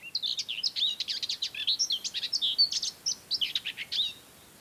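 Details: Song of a common whitethroat in mid-May at Ona Island and Hustadvika, Norway: a hurried, rattling jumble of short high chirps and scratchy notes lasting about four seconds.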